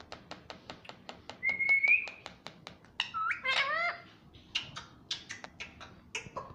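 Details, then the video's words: Pet parrot taught to say "mummy papa", indoors: a run of sharp clicks, then a level whistle, followed by a cluster of voiced, bending syllables and more scattered clicks. "Mummy Papa Bolne Wala Tota || Talking Parrot || Pattu Parrot Talking"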